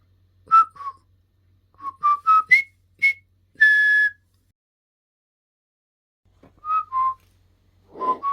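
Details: A talking pet hill myna whistles its practice tune, the River Kwai March. Paired falling notes lead into a stepwise rising run ending in a long held whistle. After a silence, a further falling pair and more notes follow.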